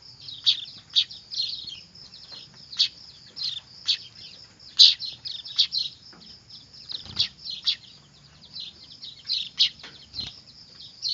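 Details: Weaver (manyar) chicks calling noisily, the sound used as a bird-catching lure: a restless stream of short, piercing chirps, irregular and sometimes bunched, with a constant thin high whine behind them and occasional soft thumps.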